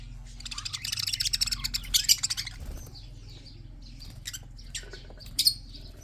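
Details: Red-eyed budgerigars, Australian parrots kept for breeding, chirp in a dense burst of high chatter for about two seconds, followed by scattered short squeaks over a low steady hum.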